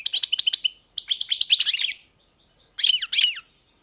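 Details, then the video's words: Singing European goldfinch delivering a quick series of clipped chirps, a longer liquid twittering phrase ending on a sustained high note, then two short jangling bursts. "Pesma štiglića"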